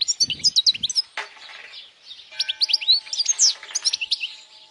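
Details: Strong European goldfinch song for young birds to learn, quick sparkling twitters in two bursts separated by a short pause, with a faint steady hum underneath.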